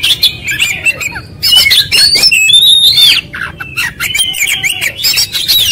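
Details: Oriental magpie-robin delivering a fast, loud, continuous song full of varied material: sharp rising and falling whistles mixed with harsh squawky notes and rapid chattering bursts, with only brief pauses between phrases.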